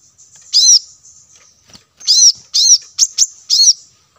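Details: Lure call of kolibri kelapa, the plain-throated sunbird: five high, harsh chip notes, some in a quick cluster, over a faint thin hiss with two short clicks.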